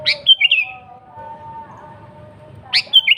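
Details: Sooty-headed bulbul in lively gacor song, played to call rivals and lure wild birds: a short bright chirped phrase with quick rising and falling notes, repeated after about two and a half seconds, over faint steady low humming tones.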